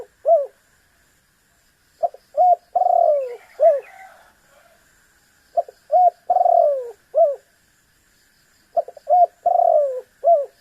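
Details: Spotted dove calling persistently to provoke a rival into calling. Steady cycle of soft clipped notes, a drawn-out rolling coo that drops away, and a last brief coo, repeated three times with faint higher chirps in one gap.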